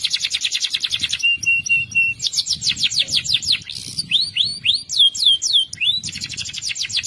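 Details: Morning canary song for getting silent canaries to sing again: quick repeated sweeps, a short level buzzy trill, a run of slurred notes, several loud curved whistles, then a rapid trill.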